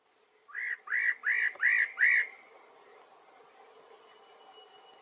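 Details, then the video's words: A parrotbill, named as the picoloro pechipinto, gives five clear, arched whistled notes at a brisk, even pace, then falls silent against faint background hiss. "El picoloro pechipinto"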